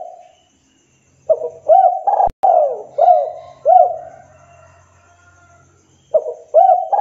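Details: Local spotted dove (tekukur) in strong voice calling a rival; two bursts of hollow, hooked coos with a long sliding coo between, a sharp click and faint low hum in the background.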